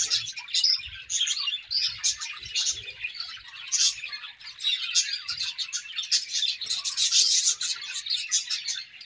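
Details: Morning chirping of budgerigars, a busy overlapping chatter of bright, buzzy warbles and sharp tweets, rising in intensity toward the middle and end, with faint low thumps underneath.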